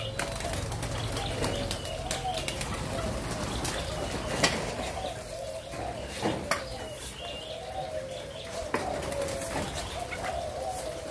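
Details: Spotted dove of a Malaysia-Thailand line, recorded 27 September 2022, delivering a long series of soft, hollow coos in rolling phrases, interrupted by scattered clicks and knocks.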